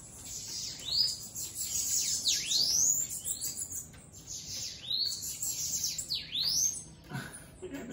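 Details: A bananaquit flying free outside its cage delivers high, wheezy, sweeping phrases that rise and fall in rapid clusters, repeated across several seconds. A low thump is heard near the end.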